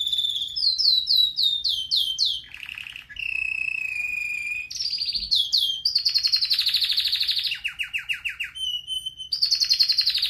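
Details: Pet red factor canary delivering a powerful training song: a rising series of quick chirps, low buzzy rolls, a long steady whistle, dense high trills and a bright closing trill.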